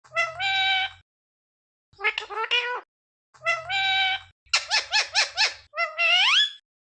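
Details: Pet parrot talking indoors: loud, harmonic speech-like phrases in four bursts, the last a string of quick pulsed syllables ending in a rising whistle-like note, with short silences between.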